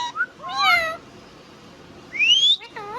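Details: Pet Indian ringneck parrot talking, with harmonic speech-like syllables, a sweeping whistled phrase rising to high pitch, and brief mimicked words in a quiet indoor setting.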